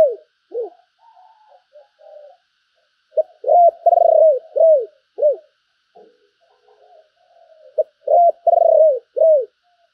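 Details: Decoy spotted dove, described as handsome and singing well, giving urging calls and calling coos: soft muttered notes, then loud arched coos in quick groups of three or four, repeated after a pause.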